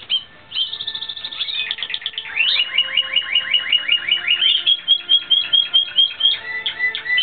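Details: Timbrado Espanhol canary singing during a training session, recorded in 2016: a continuous run of quick, downward-swept notes and rolling trills, repeated rapidly and fairly evenly, with metallic and bell-like phrases and no other clear sounds.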